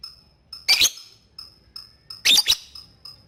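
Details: Lovebird calling a rival with ngetik ticks to encourage ngekek in young birds: soft, steady high pips broken by two loud, rasping double bursts.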